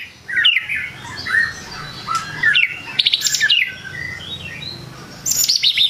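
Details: White-rumped shama in full song that stirs up rival birds, mixing fluty whistled phrases, brief pauses, and sudden very high, sharp rattling bursts.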